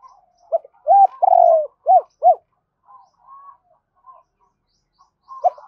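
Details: Spotted dove cooing to call its mate, given as a quick-exciting lure call: a run of short arched coos, one longer drawn-out note in the middle, then faint soft notes and a final coo.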